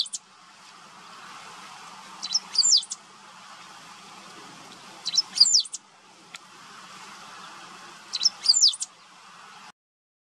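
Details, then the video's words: Great Pampa-Finch singing in wetlands of the Maldonado river estuary, Maldonado, Uruguay, in September 2022; short, high, rapid twittering phrases come about every three seconds over a faint steady hiss and low hum. "Verdón (Embernagra platensis) cantando"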